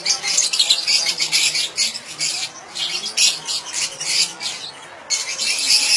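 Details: Lovebirds, Fischer's or rosy-faced, keep up shrill, harsh chattering and squawks in dense bursts, with brief lulls every second or so as several birds call over one another; the sound is used to stimulate mating.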